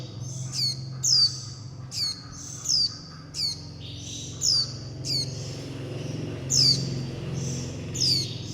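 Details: Nestling warbling white-eyes calling the mother and flock and asking for food. Sharp high squeaks repeat roughly every three-quarters of a second over a constant low hum.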